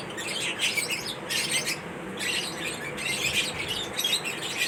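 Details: Pet lovebirds chirping while eating corn at feeding time: bursts of high, scratchy chattering chirps, about one burst a second, overlapping in a busy stream with short gaps.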